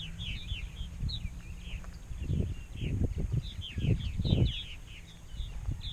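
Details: Large purple martin (Progne subis) colony in Rainsville, Alabama, about 920–930 pairs in 2016, many birds chirping and gurgling in quick overlapping bursts, steady colony chatter over heavy low wind rumble.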